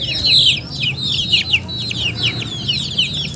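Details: Chickens giving rapid high chirps, each a quick falling whistle, several birds overlapping in a steady stream, with quiet low hum behind.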